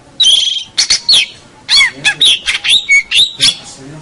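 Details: Local champion long-tailed shrike on a master recording: loud scratchy chatter mixed with short whistled slurs, delivered in quick irregular bursts with brief pauses.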